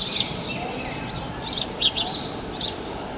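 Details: House sparrows at Praia de Pipa, Brazil, uttering quick bright chirps, a few doubled, over constant broadband background noise.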